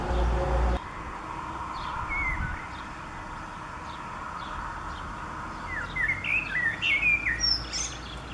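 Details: Common blackbird song recorded on 29 April 2019. A brief thump comes first, then a faint whistle, and the last seconds hold a busy burst of quick, slurred, warbling whistled notes over constant low background noise.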